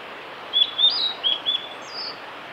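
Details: Male blue-and-white flycatcher singing on a forest road at Lake Miyagase, Japan, on 5 May 2018: a few short, thin whistled notes in quick succession ending with a higher drawn-out note, over a steady background hiss.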